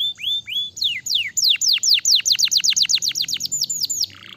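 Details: Canary singing to encourage other canaries, opening with rising whistles, then a long series of clear downward-sweeping notes about four per second, ending in a soft rasp.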